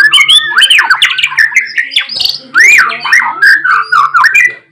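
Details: White-rumped shama singing loudly to provoke other shamas to reply and unload their repertoire: dense, continuous warbling with swooping whistles and harsh notes, over a low steady hum.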